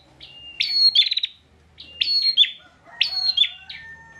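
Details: A caged bar-winged prinia in Pemalang, Central Java, sings insistently as a training model for songbirds: three phrases, each a bright whistled note sliding into a quick pulsing buzz, spaced over a second apart.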